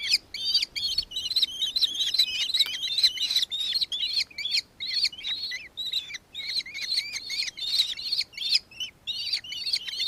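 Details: Nankeen kestrel recorded in Victoria, Australia, on 4 December 2024: shrill, rapid chattering notes, many bent and slurred, tumbling over one another at about two or three per second with brief gaps, high-pitched throughout.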